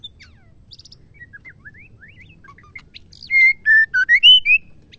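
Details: White-rumped shama female song for rousing males: soft scattered chirps and short rising notes, then a loud series of clear whistles stepping down and sweeping up.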